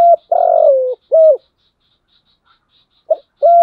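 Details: Decoy spotted dove calling to stir other doves to fight: a short note, a long husky descending coo and a second brief note, then after a pause two more short coos; a faint high ticking runs throughout.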